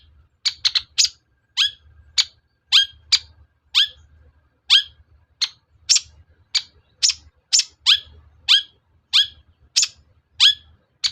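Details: Rapid, harsh, grating notes of a long-tailed shrike, each falling in pitch, delivered roughly twice a second in an unbroken run, played to stir other shrikes to answer and sing; faint low rumble beneath.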